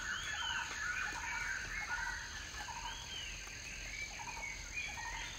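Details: Scaly-breasted Partridge, also called Green-legged Partridge, feeding in forest and drinking in the rainy season; short, low clucking notes in small clusters about once a second, with higher arched whistles from other birds and a steady insect hiss.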